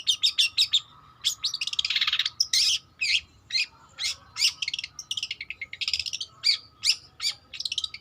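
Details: Juvenile long-tailed shrike practising song in quick bursts of harsh, buzzy chattering and short whistled notes, one broad rasping phrase in the middle, delivered in irregular clusters over a faint hum.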